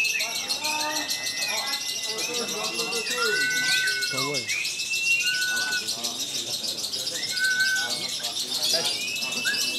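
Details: A caged lovebird, a newcomer at a singing competition in Jogja, Indonesia, gives long chattering song with whistled, arching notes and fast twittering, among other birds and a constant high hiss of crowd noise.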